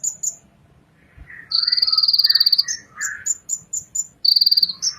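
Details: Ninja sunbird (kolibri ninja) from Indonesia singing a varied song: high, thin whistled notes, lower warbled phrases and two fast, buzzy, insect-like trills.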